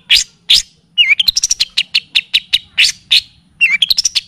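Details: Training and lure song of the long-tailed shrike (cendet/pentet), in the kapas tembak and cililin style. Loud, sharp chip notes turn into quick runs of high, rising and falling whistled chirps. A faint low hum sits underneath.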